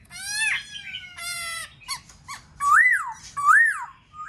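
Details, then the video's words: Black-throated laughingthrush song meant to spur other birds into singing: long harmonic-rich descending tones, a few short clipped notes, then two loud clear rising-and-falling whistles. "Khướu bạc má kích bổi hót múa dễ dàng"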